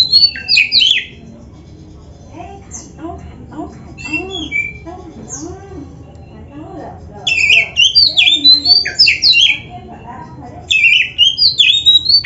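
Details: Oriental magpie-robin training song for caged birds, with loud bursts of high, jumbled whistles at the start and later, and softer low murmuring sounds in the quiet stretch between.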